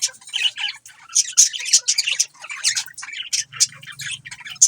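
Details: Loud, lively budgie chatter fills the recording with bright, scratchy chirps and squawky warbled notes in rapid uneven bursts. A low buzzing hum joins in the second half.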